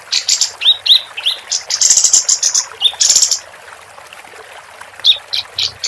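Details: Female capped white-eye gives upslurred whistles and long buzzy chattering bursts, then a pause and a few scattered sharp notes.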